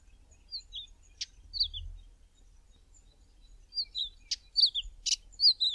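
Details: Male Karoo scrub robin singing from a bushtop in early morning: quick high whistled slurs, dropping in pitch, broken by sharp buzzy clicks. The phrases come in short bursts with gaps of silence between them.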